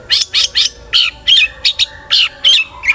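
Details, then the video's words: Long-tailed shrike in energetic full song, used to provoke other shrikes into singing: harsh, buzzy chattering notes in quick irregular bursts, some with short whistled inflections, about ten phrases in three seconds. "burung cendet gacor FULL ISIAN buat PANCINGAN CENDET AGAR BUNYI!!"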